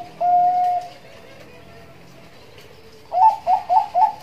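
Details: Bangkok zebra dove in nduduk ngitit song for luring and tutoring: one drawn-out whistled note, a long pause, then four quick rising coos to close.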